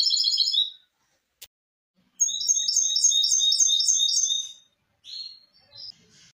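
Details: Tutor recording of a hybrid misto for young birds: a rapid trill, a sharp click, then a long, even series of repeated bright double notes, followed by softer whistles.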